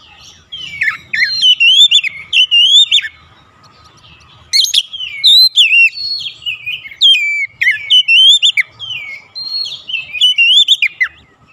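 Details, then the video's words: Oriental magpie-robin song serving as a lure to provoke rival magpie-robins: long bouts of rich whistled phrases mixed with sharp high chips, a pause midway, then renewed varied warbling. "TERBUKTI PANCINGAN AMPUH KACER APAPUN DIJAMIN LANGSUNG NGOTOT KONSLET"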